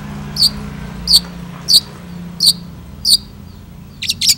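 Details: Long-tailed shrike in active song: evenly spaced sharp high chips about every two-thirds of a second, ending in a quick pair of harsher notes, with a steady low hum behind.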